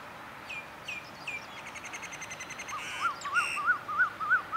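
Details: Eurasian wryneck at Sansai, Chiang Mai, Thailand, 31 January 2015, wintering migrant: scattered high chirps from other birds open, then the wryneck's series of six loud, evenly spaced, peaked notes climbs in volume toward the end.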